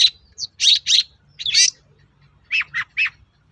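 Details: Long-tailed shrike song for luring other shrikes to respond: a few spaced, harsh squawky chirps in small clusters, separated by short silences.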